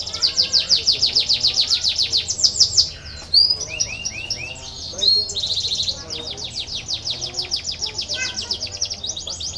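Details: Canary singing as a stimulus for lazy birds: a dense, fast high trill, a pause with scattered swooping whistles, then renewed rapid rolling trills.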